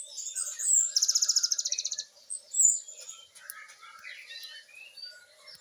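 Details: Great tit singing actively, in a rapid-fire style of varied notes used as training song for captive birds: a sharp high note, then a fast, very high-pitched buzzy trill lasting about a second, followed by faint scattered chirps.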